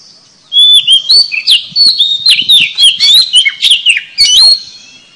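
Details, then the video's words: Oriental magpie-robin lure song used to attract other magpie-robins, in Southeast Asia. It is a loud, rapid medley of sharp whistles, upslurs and scratchy notes, rising and falling without pause for about four seconds. "PIKAT KACER SUARA PANCINGANNYA AMPUH.!!!"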